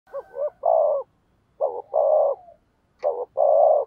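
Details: Spotted dove decoy bird cooing and challenge-calling to lure wild doves: three low mellow phrases, each a quick double or triple note followed by a longer sustained coo, repeated about every one and a half seconds, with a brief click between.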